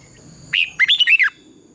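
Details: Red-whiskered bulbul singing competitively at dawn, used to stimulate birds to sing: one short rising note followed by a quick run of five ringing, slurred whistles.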